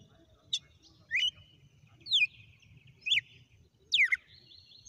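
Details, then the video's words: Red-cowled cardinal giving a song sequence of five clear whistled notes roughly one second apart, a short high opener followed by sweeping downslurred and arched whistles, with soft low hum behind. "Galo de campina na SEQUÊNCIA DE CANTO"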